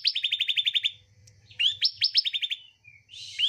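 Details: Bar-winged prinia song meant to stir a reluctant bird into singing: a fast string of about ten sharp chirps, a short pause, then a second burst of chips, a soft whistled note, and a closing buzzy rasp.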